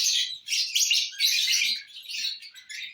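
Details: Lovebirds eating corn on the cob, dated 18 December 2022; dense, continuous high chirping and squeaky chatter with brief dips, several birds calling over one another.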